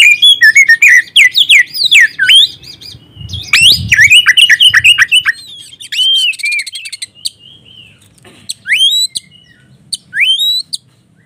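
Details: White-rumped shama song played as a lure to stir emotion and breeding drive in shamas that have stopped singing, phone-recorded: rapid varied whistles and chirps, a dense burst of notes, then sparser sweeping whistles, with a faint low rumble mid-way.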